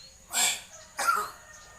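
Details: Common hill myna coughing like a human: two short, husky, breathy coughs about two thirds of a second apart, the second with a faint tonal edge, over light background noise.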